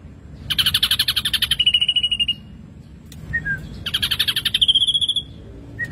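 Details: Two bursts of buzzy, chattering gacor song from an ashy drongo, each easing into quick piping notes, separated by a brief soft chirp.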